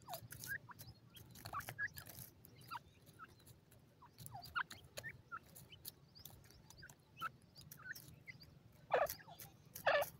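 Grey partridge giving short, harsh, creaky calls at an irregular pace, with two louder grating calls near the end over a low background hum.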